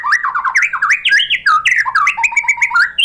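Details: White-rumped shama song used to draw other birds into singing: rich continuous warbling of slurred whistles, rolling up and down, with mimic-like varied notes and a rapid buzzy sequence near the end.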